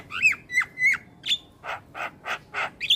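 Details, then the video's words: Javan pied starling singing a full, varied song: squeaky slurred whistles followed by an evenly spaced series of harsh, buzzy rasps about three per second, ending in a high whistle. "Masteran Jalak Kebo Gacor Full isian - Semua Jalak Langsung Buka Suara"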